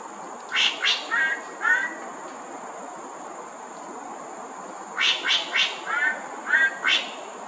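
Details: Perched greater racket-tailed drongo at Thomson Nature Park, Singapore, giving two bouts of quick metallic notes mixed with short warbled whistles, about four or five notes each, separated by a three-second pause.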